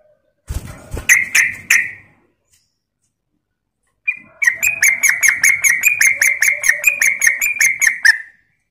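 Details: Sooty-headed bulbul, or trucuk, linked to Klaten, singing a 'ropel' lure song: three loud notes after clicks, a pause, then about four seconds of rapid, evenly spaced bright chattering notes at a steady pitch.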